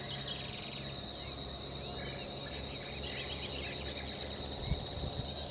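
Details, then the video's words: A flock of Fulvous Whistling-Ducks (Dendrocygna bicolor) at San Ignacio, Misiones, Argentina, giving a steady chorus of thin, squealing, overlapping whistles over a low background hum. "Fulvous Whistling-Duck, Sirirí colorado (Dendrocygna bicolor)"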